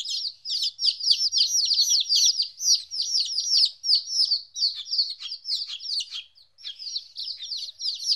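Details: Domestic chicks aged 14 days, separated from their mother for the first time, giving an unbroken stream of shrill, downward-slurred cheeps, about three per second, pausing briefly near the end before resuming.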